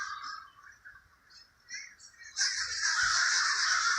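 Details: Crow calls in the Villa Park neighborhood of Trenton, New Jersey: harsh, hoarse caws start softly, then swell into a loud, sustained raucous burst in the second half, with other birds possibly present.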